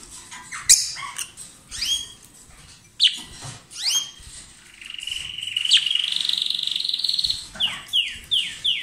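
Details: A pair of lovebirds singing loudly while billing and possibly exchanging food: shrill downward-sweeping squeaks, then a long buzzy, grating note held for about two seconds, followed by a rapid series of falling chirps.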